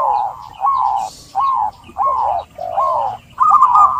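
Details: Zebra dove cooing used to coax a quiet bird into song. Six separate short, wavering coo phrases follow one another about every half second over soft background hiss.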